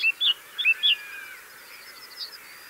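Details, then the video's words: Mistle thrush singing from a gorse bush: a short burst of loud, clear, fluted whistled notes, some sliding and warbled, then a quieter trailing phrase over faint background birds and a low rural hiss. "Mistle Thrush (Turdus viscivorus) - singing on gorse bush"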